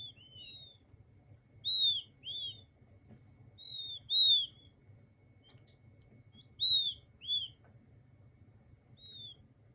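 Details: King quail chicks calling with thin, high whistled peeps, often paired, with some notes dipping and rising, spaced irregularly over about ten seconds with a quiet hum beneath.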